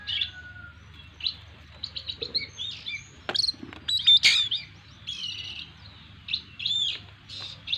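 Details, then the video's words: Owned Oriental magpie-robin in full 'gacor full isian' song, a phrase-packed singing style: varied sharp chirps and short whistled notes in quick bursts, scattered through the clip with quiet gaps and faint low hum beneath. "burung Kacer gacor full isian"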